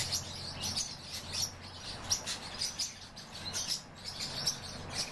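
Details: Pine grosbeaks, a breeding pair kept in captivity, utter brief sharp high-pitched chirps in quick uneven series, with a faint low background hum.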